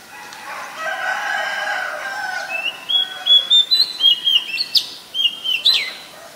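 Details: Oriental magpie-robin, Ubon Ratchathani, Thailand, 7 January 2021: a lower, rooster-like murmur in the background first, then a bright sequence of high whistled notes with sharp upward flicks.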